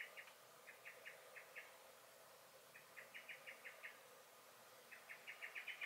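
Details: Common blackbird, garden, 23 May 2021: loose groups of sharp clicking alarm notes. Some come in pairs, others in runs of five or six, with short pauses between.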